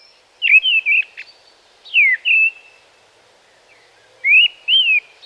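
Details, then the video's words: Mistle thrush song of short, repetitive whistled phrases with a mournful, distant quality. Phrases often begin high and slide downward, with no squeaky ending, and come in three bursts separated by pauses. "A mistle thrush often starts on his highest note and moves downward."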